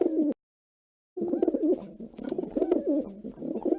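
A dove gives a soft, low, throaty cooing that rolls on in murmured phrases after a short gap of silence.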